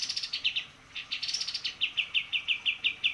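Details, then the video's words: Lively white-eye song: a steady stream of quick, high-pitched chirps, some slightly buzzy, repeated about three times a second for several seconds. "kapas tembak gacor"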